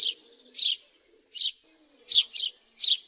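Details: Loud, rough chirps from a house sparrow, spaced irregularly and sometimes doubled, over a faint low hum.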